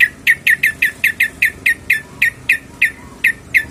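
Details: Sharp, clipped chip notes from a female yellow-vented bulbul calling the male, repeated steadily about four times per second with no other sound.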